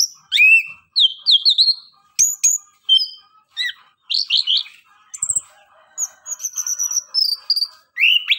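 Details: Orange-headed thrush song meant to prompt reluctant birds to answer: bursts of high whistles, sharp chirps and twittering notes, rising slurs and fast trills, broken by short pauses, over a quiet background.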